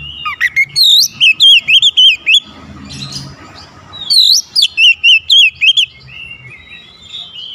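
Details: Oriental magpie-robin in a singing challenge: two rapid runs of loud, evenly spaced, looping whistled notes, the second ending in softer trailing whistles, with a short noisy gap between them.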